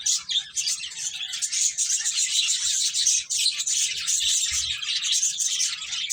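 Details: Several finches playing, giving a steady wash of rapid, high-pitched chirps and tweets that overlap throughout, the level barely dipping, with faint low rumble underneath.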